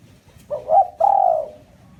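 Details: Spotted dove giving a lure call used to draw in wild doves: a short low coo followed by a longer, smooth, slightly falling coo, the whole phrase lasting about one second, over a faint low hum.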